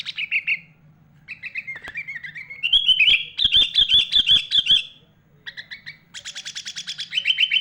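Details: Sooty-headed bulbul (kutilang) with rich 'isian' of other birds' calls, a tutor song for young and adult bulbuls: chirp bursts, a rising warbled glide, a loud fast trill with clicks, then a buzzy rapid rattle.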